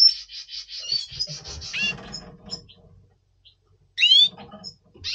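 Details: Captive double pastel red siskin in breeding condition before breeding, November 2023: dense buzzy high trills in quick bursts, then silence and one loud sharp slurred call note, with faint low indoor rustling.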